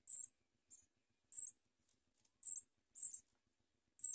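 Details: House sparrow nestlings begging while their mother feeds them: short, very high chirps in separate bursts about every half second to one second, with silent gaps between.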